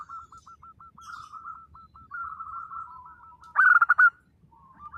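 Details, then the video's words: Zebra doves of local stock: a soft chain of short, evenly spaced coo notes from distant birds, then one loud, bubbly burst of rapid coos near the end. "perkutut lokal gacor _suara nembak perkutut lokal bisu_"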